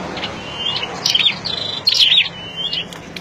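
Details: Flowerpecker kept caged as a lure bird. It gives rapid, high, piercing chirps and twittering notes, with two louder bursts in the middle and softer ticks between them. Faint low rumble in the background.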